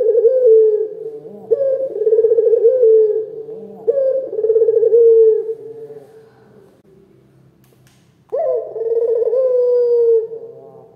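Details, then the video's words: Local turtle dove (puter lokal), a loud, active bird with a big voice, cooing repeatedly. Deep, throaty, rolling coos come in quick succession, then a short quiet gap and one more long coo that fades. "SUARA PUTER LOKAL GACOR, SUARA BESAR DAN GACOR!!"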